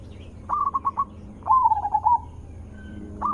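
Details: Zebra dove calling as a lure to make other zebra doves answer: a short burst of quick stuttering coo notes, then a longer rolling trilled coo that slides slightly downward.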